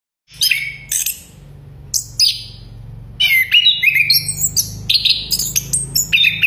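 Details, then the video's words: A chestnut-capped thrush whistles loudly in varied phrases, high and sweet with quick slurred notes, in bursts that grow busier, over a faint low hum. "anis kembang bersiul keras"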